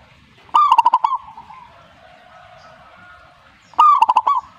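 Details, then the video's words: Zebra dove (perkutut) singing in reply, said to mark a good bird: two short phrases of low, throbbing cooing notes, each a rising coo followed by a quick rolling series of pulses, about three seconds apart, over a faint steady hum. "suhu perkutut jika nyaut Burungmu bagus berarti"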